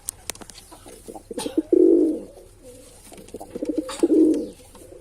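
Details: Cooing male pigeon: stuttered low pulses building into a drawn-out throaty coo, then a second pulsed coo after a short gap, with light background clicks inside a small room.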